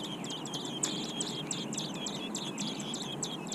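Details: Big young robins in the nest produce quick, repeated high-pitched peeps, about a dozen sharp chirps in under four seconds, evenly spaced against soft steady background noise.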